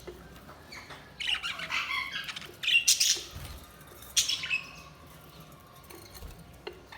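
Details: Budgies chattering in a run of squawky, warbling chirps, loudest mid-clip, with brief sharp notes and quieter pauses between phrases.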